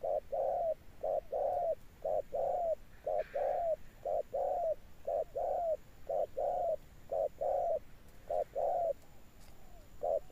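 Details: Steady 'âm sấm' cooing of a spotted dove: low, hollow paired coos, short then long, repeated roughly once a second for ten seconds, with a faint steady high whine in the background.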